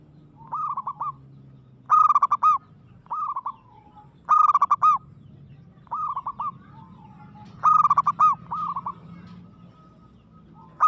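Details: Local zebra dove (perkutut) in aggressive song, repeating bursts of rapid rippling coos about every second or two, loud and soft phrases alternating, with a steady low background hum.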